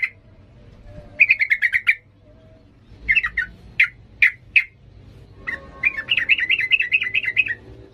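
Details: Sooty-headed bulbul giving a lively 'ngalas' song, used to train young birds. A fast run of chirps is followed by scattered single sharp notes, then a long wavering trill of repeated notes, with a low background hum.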